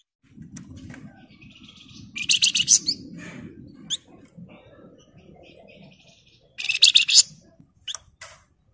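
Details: Flamboyan bird in full, dense ngebren song, played to lure and tutor other birds: two bursts of fast, harsh, chattering high notes over a steady low background rumble, with a few sharp single chips.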